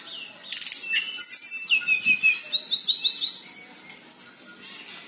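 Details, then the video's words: Local tledekan singing as a lure to get silent birds singing. A buzzy burst is followed by a quick series of high, sweet twittering notes and trills, then a fading thin whistle. "TLEDEKAN LOKAL # Ngeroll Panjang Buat Pancingan Burung Macet Bunyi"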